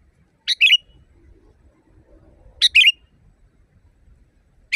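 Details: Training recording of a sooty-headed bulbul for caged birds: brisk two-part phrases, a high clipped note then a fluttering whistle, repeated roughly every two seconds over faint low background hum.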